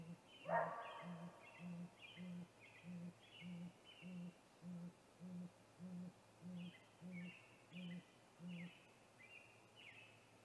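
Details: Great gray owl, a male calling near its snag tree nest on the evening of 21 April 2019 before visiting it: a long, steady series of low, muffled hoots, roughly one every 0.6 seconds, over high whistled songbird calls.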